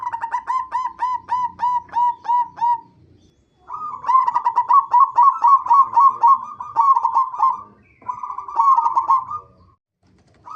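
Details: Zebra dove of the local type, used as a lure recording to set other zebra doves singing: rapid runs of soft, harmonic cooing notes, a steady series for three seconds, then denser rolling bursts after short pauses.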